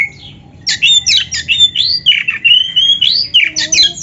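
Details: Singing Oriental magpie-robin, played to spur caged birds to reply: a rapid, varied stream of sweet whistles, buzzy slurs and sharp chips packed high, running almost continuously after a brief quiet opening.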